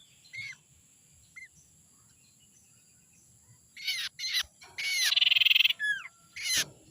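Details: Young wild forest sirtu as a lure: a few soft whistles at first, then loud harsh notes, a quick buzzy pulsed trill and falling whistles. Low background hum throughout.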